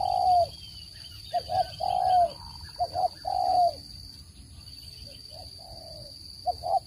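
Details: Spotted dove calling, a sound used for luring birds into traps; a series of soft coos, short notes leading into longer drawn-out falling coos, with a constant high-pitched hum behind.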